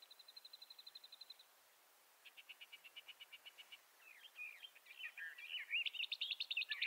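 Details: Bendire's thrasher of western North America: a steady high trill of evenly spaced notes, a pause, a lower pulsed trill, then a building jumble of varied, warbling phrases that grows louder toward the end.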